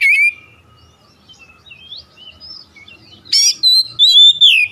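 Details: Oriental magpie-robin lure song for coaxing untrained birds that rarely sing. A loud whistle opens, then comes a long stretch of faint scattered notes, and finally a burst of bright, clear whistled phrases at the end.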